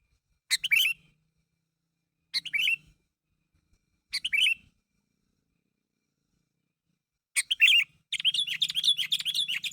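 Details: Sooty-headed bulbul calling to draw a reply from others: short bright chirps in separated bursts about every two seconds, then a quicker run of chattering notes, over near silence with a faint low hum.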